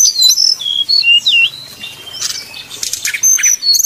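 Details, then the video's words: Sumatran red-crowned leafbird in contest fighting song: a series of clear descending whistled slurs, then scratchy bursts and repeated high thin whistles. "SIMULASI SUARA SRDC TARUNG DI GANTANGAN"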